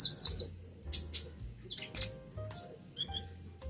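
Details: A moulting pet sunbird, reportedly singing hard, delivers rapid high-pitched twittering notes, some doubled or tripled in quick succession, with a soft low hum underneath.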